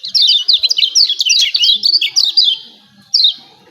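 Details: Lemon-bellied white-eye 'ciak ciak' calls, played to provoke caged birds into singing: a fast, dense string of high, sharply descending chirps for about two and a half seconds, then a single chirp after a pause.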